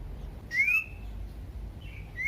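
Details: Common iora song meant to provoke other ioras to sing: a clear whistle sliding up then held level, and a second rising whistle at the end, over quiet background.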